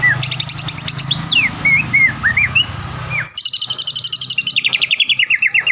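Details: Greater green leafbird singing in a cage, recorded as a training model; the bird often wins contests near Palembang. Mixed whistles and rising slurs give way to a dense, rapid, descending trill, with a faint low hum.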